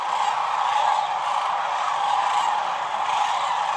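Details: Vast sandhill crane gathering on the Platte River at peak northern migration, heard from a photography blind; close, loud, unbroken chorus of trumpeting, rattling calls from thousands of birds overlapping without pause.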